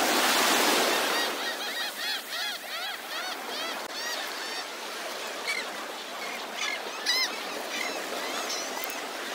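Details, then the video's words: Gulls calling by the sea: a rapid series of short, nasal, arched calls repeating several times a second, fading in and out over loud, steady rushing surf, with a heavy wave wash at the start. "Sea Gull Call ~ Seagull Sound ~ Seagulls Sounds and Ocean Waves"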